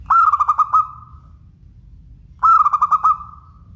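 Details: Zebra dove of local stock singing a clean, bright phrase twice: quick rolling coos, about six pulses, sliding into a sustained fading note, repeated after a pause over faint low background rumble.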